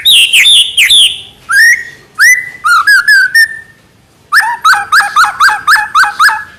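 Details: A white-rumped shama, murai batu in Indonesian, sings loud rolling whistles, then steady rising notes repeated about once a second, and a fast series of eight similar falling-rising slurs.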